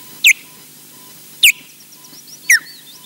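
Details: On a Loch Garten nest in Scotland on a morning arrival, an osprey gives three piercing, downward-slurred whistled alarm notes about a second apart, with faint thin chirps from another bird in the background and a low constant hum.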